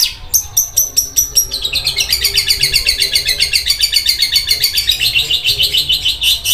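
Long-tailed shrike giving a harsh, high rattling song: a few spaced scratchy notes, then a fast mechanical chatter of about seven notes a second, like a sewing machine.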